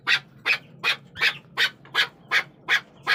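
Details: Chukar partridge calling with harsh, clipped chuck notes repeated at a steady pace of under three per second, each note short and bright with a faint low hum behind.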